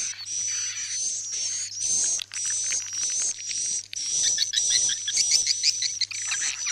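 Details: Edible-nest swiftlet roosting lure sound used by swiftlet farmers to make birds stay the night: rapid, high, buzzy chirping in runs about two per second, over a faint steady whistle and low hum.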